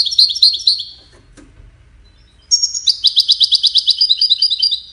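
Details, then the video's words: Singing goldfinch, whose song serves courtship and communication: a short bright twittering phrase, a pause, then a long, fast, rhythmic trill of sharp, high, slightly buzzy notes repeated many times per second. "Witness the Majestic Goldfinch Singing"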